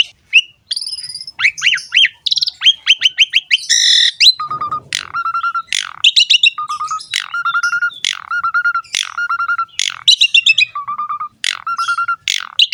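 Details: Asian pied starling (jalak suren) in gacor ngerek song: scratchy chatter and rising chirps at first, then harsh bursts repeatedly followed by a flat sustained whistle about once a second.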